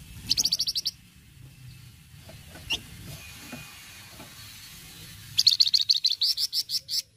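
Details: Flamboyan cretetan song: a quick burst of high ticking notes, a few isolated chips, then a longer rapid series of about fourteen bright notes that slows slightly toward the end.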